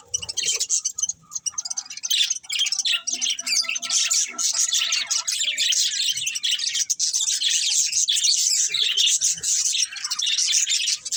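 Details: Budgerigars chirping: dense, continuous high-pitched twittering and warbling chatter with scratchy squawks, overlapping voices filling the whole clip without pause, several birds calling at once.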